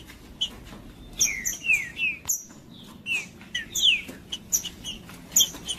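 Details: Green-winged saltator singing aggressively to stir up other males: short downward-slurred whistles in broken groups with high thin notes between them, separated by brief gaps over a soft steady background.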